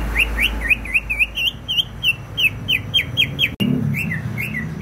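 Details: Greater green leafbird from Banyuwangi singing vigorously: an unbroken chatter of crisp, high whistled notes, rising and falling, delivered about four per second, with a faint hum and a short click partway through.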